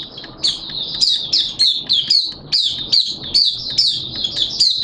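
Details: Malaysian oriental white-eye kept as a hobby songbird, singing an open song: a steady stream of high, sweet twittered notes in short bursts, roughly two per second, clean and loud.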